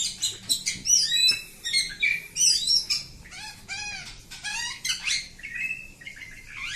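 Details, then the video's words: Oriental magpie-robin in unbroken 'ngacor' song: rapid series of repeated arched, looping notes, sharp chips and varied whistles, over faint low background noise. "Kacer Kampung. Super Ngacor panjang"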